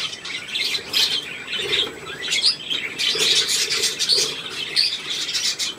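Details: Lively chicks, recorded 2 November 2015, chirp nonstop in a crowded chorus of thin, high peeps rising and falling in loudness, with soft rustling beneath.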